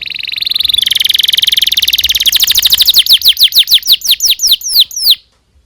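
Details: Canary singing a long gacor song with emotional cuit-cuit notes, used to tutor young canaries: a steady high buzzy trill, then a run of separate downslurred whistled notes repeated about three times per second.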